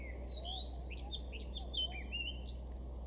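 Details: Male Eurasian blackcap singing in a garden in Weener, East Frisia, northwestern Germany, June 2022: a fast, varied warble of chirping, sliding and high whistled notes tumbling together, over a steady low hum.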